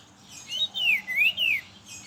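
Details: Morning song of a brown-chested jungle flycatcher, played to lure other birds of its kind: a short run of four clear whistled notes arching up and down in a smooth wavy phrase.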